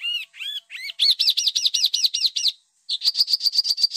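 A songbird opens with a few rising whistles, then breaks into fast, harsh chattering notes about eight a second, followed by a higher, equally rapid run.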